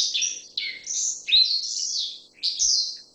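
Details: Black-faced bunting, Emberiza spodocephala: a few drawn-out high buzzy notes, some slurring downward, come in bursts about a second apart. A faint low hum is heard under them.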